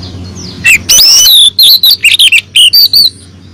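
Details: Female oriental magpie-robin calling the male, used as a lure: a quick series of about ten loud, high whistled notes and wavering slurs, tightly spaced over two and a half seconds, with a low hum behind.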